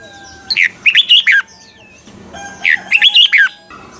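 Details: Mature wild-style Red-whiskered bulbul double-note song, recorded for voice training of caged birds: two quick bubbling phrases of about five notes each, over faint steady background tones.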